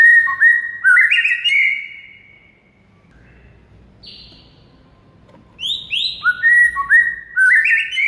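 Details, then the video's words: Training song of a white-rumped shama, played to make mute birds sing: slurred whistles and a long fluty note, a near-silent gap with one faint high note, then quick rising whistled phrases resuming. "DALAM HITUNGAN DETIK MURAI BISU AUTO GACOR DOR DENGAR MASTERAN SATU INI"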